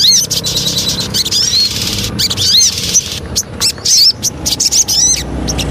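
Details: Javan cochoa lure song in short bursts of high chattering and rising whistled slurs, separated by brief pauses.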